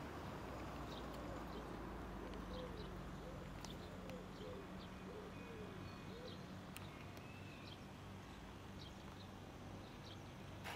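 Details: A common wood pigeon at Žale cemetery, Ljubljana, on 5 March 2024 gives soft, low, hooting coos in a short rhythmic phrase over steady traffic rumble, with a few thin chirps from small birds.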